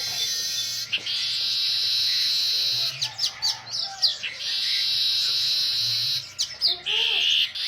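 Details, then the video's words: Energetic weaver song: extended wheezy, sizzling buzzes interrupted by clusters of sharp chattering notes, with a brief voice near the end. "Burung manyar gacor"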